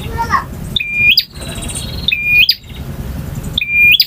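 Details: Male bar-winged prinia in full varied song, giving an abrupt high chip followed by a level whistle ending in an upward flick, repeated three times at irregular intervals, with a brief lower chirp at the start and a faint background rumble.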